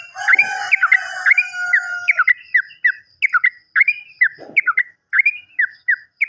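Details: Sooty-headed bulbul song played to coax silent or untrained caged birds into singing: bright, liquid, slurred notes in short rising and falling phrases, repeated at uneven intervals, with a brief low sound midway.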